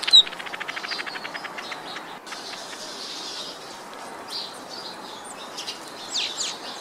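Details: Village weaver (black-headed weaver) opening with a fast, evenly spaced rattle of clicking notes, followed by scattered high chips, buzzy squeaks and a rising wheeze over soft background chatter.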